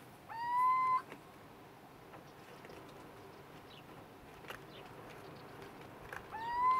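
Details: Little owl in vineyards at Trebujena, Spain, on 20 February 2018: two clear mewing notes about six seconds apart, each sliding up and then holding steady, over faint background hiss with occasional soft ticks.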